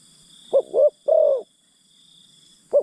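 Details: Decoy spotted dove used to lure wild forest birds, cooing: two short quick notes followed by a longer, drawn-out low coo, then another note starting, over a faint steady high whine.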